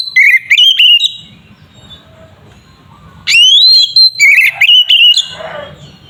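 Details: Oriental magpie-robin in 'tarung' fighting song, used to make other kacer agitated. Clipped whistled notes give way to a pause with low humming, then a rising whistle and rapid stuttered phrases, followed by a brief rough noise.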